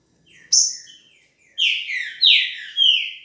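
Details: Green-winged saltator (trinca-ferro) singing in the velocista style: a sharp high note, then three loud, rich whistled phrases that slur downward, each about half a second long and following in quick succession.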